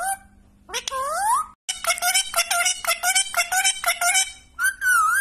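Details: A talking Indian ringneck (rose-ringed) parrot speaks Hindi, including "meri katori", indoors. It chatters in quick, voice-like syllables about once a second, opening with a rising whistle and ending on a wavering screech.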